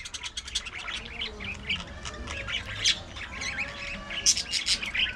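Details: Domestic budgies chattering while playing, fighting and grooming: a continuous high warbling stream of quick twittering notes and wavering squawks, with a few sharper louder chirps near the end.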